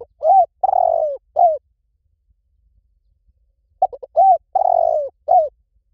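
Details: Spotted dove cooing twice, each phrase a stuttering pickup, a rounded coo, a drawn-out burry falling coo and a closing short coo, separated by about two seconds of silence.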